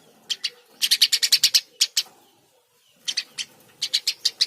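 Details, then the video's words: Eurasian tree sparrow chattering in rapid strings of sharp chirps, about ten in a row, a silent gap of a second, then another lively run; no other sounds in the background. "Burung gereja gacor"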